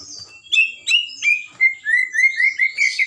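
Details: Loud white-rumped shama of the blorok type, singing to provoke other birds, with sharp descending chips followed by a steady series of sweet, even whistled notes, about three per second.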